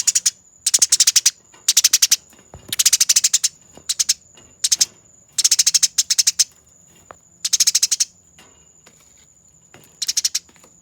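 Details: Eurasian tree sparrow fighting, master recording for training birds: short clusters of rapid scratchy chirps repeated roughly every second, separated by brief silences, with a continuous thin high whine in the background.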